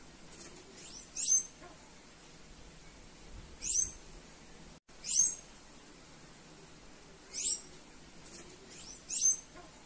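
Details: A female Sayaca tanager calling to stimulate other birds gives five thin, very high, squeaky notes, spaced every one to three seconds, over a soft hiss of background noise.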